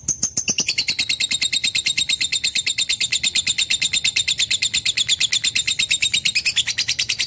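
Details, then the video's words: A lovebird pours out a long, unbroken string of shrill, scratchy chattering notes, about three each second, steady and high-pitched, with no other sounds. "AUDIO BURUNG LOVE BIRD JERNIH DAN PANJANG"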